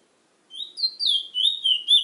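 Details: Brief phrase from a chestnut-bellied seed finch, known as Trinidad bullfinch: a few sweet, sliding whistled notes that swoop downward, delivered in quick succession after a moment of silence.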